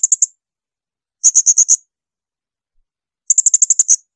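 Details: Blue-crowned hanging parrot giving shrill 'tembakan' bursts, a recording meant to train songbirds such as magpie-robins and leafbirds: three rapid volleys of very high, piercing, evenly spaced notes separated by silent gaps.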